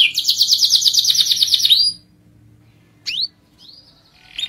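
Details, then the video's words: Canary in full song, a long rolling trill offered as a prompt to set other canaries singing: a fast, buzzy, slightly descending roll of rapid repeated notes for about two seconds, then a pause and a few sharp upswept whistles. "Kenari Gacor Ngerol panjang, untuk Pancingan Jenis Kenari apapun."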